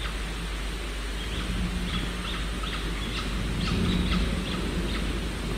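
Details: Peregrine falcon nest with two nestlings five and six days old, a parent feeding them a starling; rapid thin peeping calls repeated several times a second over heavy steady hiss and a low hum.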